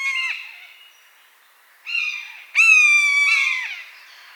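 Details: Bird of prey, a buzzard heard in natural habitat, calls three times. A fading call ends at the start, a shorter mew follows after a pause, then comes a louder, longer mew that bends downward at its close.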